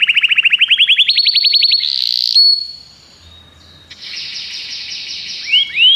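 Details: Common canary singing: a rapid rising trill of repeated notes, then a buzzy sustained tone and a brief pause, followed by a dense rattling trill and two upslurred whistles.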